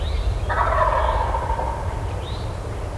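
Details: Wild turkey in spring on Georgia public land gobbles once, a rapid, rattling, descending burst of about a second, over steady low wind rumble with a faint higher call afterward.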